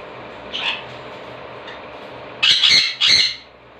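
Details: Green-cheeked conures, blue and green birds kept as pets indoors, give one faint harsh squawk then two loud rasping squawks in quick succession near the end, with a quiet room in between.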